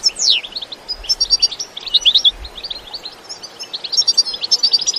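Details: European goldfinch bitbita song from nature, no effects: opens with a sharp descending swept note, then a lively, continuous run of high, jingling twitters and short trills, with faint low rumbles beneath.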